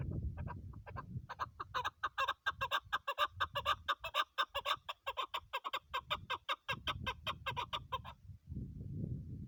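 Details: Female chukar partridge (Alectoris chukar) gives a fast run of harsh, clucking chuk notes, about two per second, building into a rattling series before stopping; low rumbling background noise at start and end.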